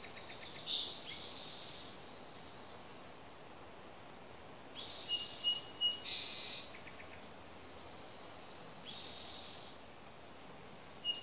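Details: A bird in the morning gives high, thin, buzzy phrases with sharp chips, in short bursts separated by pauses, over a steady background hiss.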